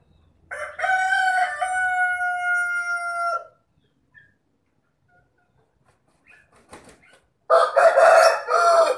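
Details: Bledek rooster crowing: a long, harmonically rich crow of about three seconds holding steady then falling slightly at the end, followed after a pause by a second loud, rougher crow.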